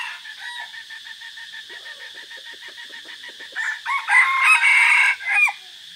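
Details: Red junglefowl used as a decoy, heard on 3 April 2024 during a forest trip: soft rapid ticking sounds, then a loud multi-part crow near the end, with a constant high-pitched hiss behind.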